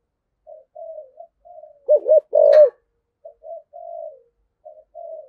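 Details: Spotted dove with a thổ voice giving the cúc đinh calling coo: mostly soft, low, separated coos, with one loud pair of hollow hoots near the middle accompanied by a brief sharp click.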